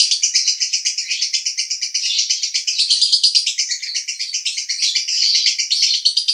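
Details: Male lovebird from Cibinong, Bogor, in sustained konslet song: rapid, pulsing high chatter about three pulses a second per beat cluster, continuous and even for over six seconds.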